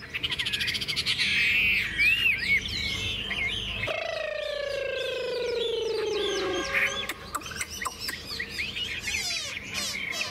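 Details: A captive Chinese hwamei, fed fresh food and hung in the morning sun for 20–30 minutes, sings a loud, rich medley of quick whistled and chirping phrases, broken midway by a long, slowly falling drawn-out tone.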